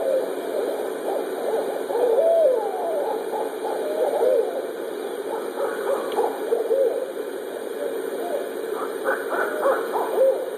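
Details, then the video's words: A family of barred owls hooting: several call over one another in a low, wavering chorus of hoots and cackles, with sharper, higher bursts near the end. "Barred Owl Family Hoot"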